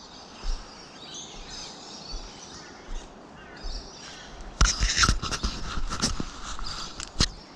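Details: A Lewin's Honeyeater at Archerfield Wetlands, Australia, gives its loud, rapid, staccato rifling, machine-gun rattle in short bursts, over soft distant birdsong and low wind rumble.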